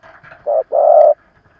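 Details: Old decoy spotted dove cooing to provoke wild birds: one loud two-part coo, short then drawn-out, preceded by faint softer cooing in the background.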